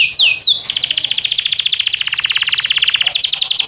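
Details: Canary song for training canaries: two loud descending swoops, then a long rapid pulsing roll of many evenly spaced buzzy notes, with faint low hum underneath.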